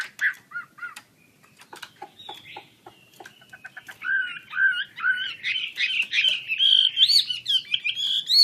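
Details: Chinese hwamei in energetic full song while spreading its wings, opening with scattered clicks and short notes, then building into loud, varied, slurred whistled phrases that rise and fall, growing richer and louder toward the end.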